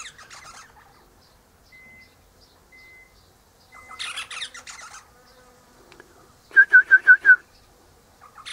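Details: Eastern rosella perched high in a hedge in the morning, its mate in a nearby pecan tree; brief chattering bursts, a few thin whistled tones, then a quick run of five clear piping notes.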